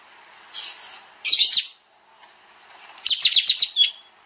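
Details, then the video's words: Kapas tembak, a bulbul, on a songbird-training master track. Two soft whistles lead into a quick rattle of notes, then a run of six fast descending chirps after a short pause. "Masteran Burung Kapas Tembak Suara Rapat Nembak Nembak"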